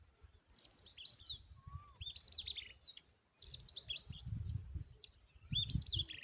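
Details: A tailorbird feeding its chicks, including with a butterfly, gives quick bursts of high, sharp chirps, about four bursts in six seconds, over a low rumbling background noise.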